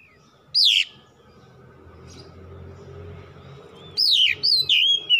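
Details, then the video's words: Domestic Oriental magpie-robin giving a single loud downslurred whistle, then a short run of bright descending whistled notes after a pause, with a low hum behind. "PANCINGAN CEPAT PAGI SIANG MALAM KACER RUMAHAN CEPAT GACOR"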